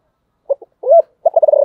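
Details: Spotted dove's low hollow coo: two short soft notes, a drawn-out swelling coo, then a rapid bubbling series of throaty pulses.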